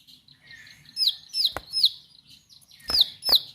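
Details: Bar-winged prinia giving sharp singing in a brief, uneven burst: a few high, falling whistled notes in two small groups, with loud clicks between them over a faint background murmur.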